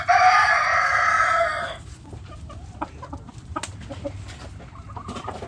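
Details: Backyard rooster crowing among hens: a loud harsh crow held for almost two seconds, then scattered short clucks from the flock over a low background hum.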